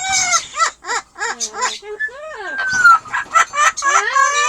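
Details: Pet Amazon parrot's high-pitched laughter: several bouncing, arched harmonic notes, then a long rising and falling cackle that breaks into stretched, squealing notes toward the end.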